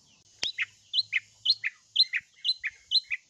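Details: Long-tailed shrike repeating a sharp two-note phrase about twice per second, a high chip dropping to a lower slurred note, preceded by one loud click, in a quiet setting.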